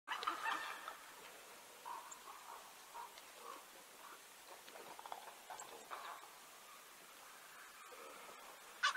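White-tailed Eagle giving faint, yelping notes in short uneven series, mid-pitched and somewhat harsh, with a louder note at the end over quiet background hiss.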